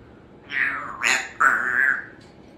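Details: Female Congo African grey parrot, a pet in a country home, being super chatty while her owner tries to work: three loud tonal calls, a rising squawk, a short sharp note and a long wavering whistle, against quiet indoor background.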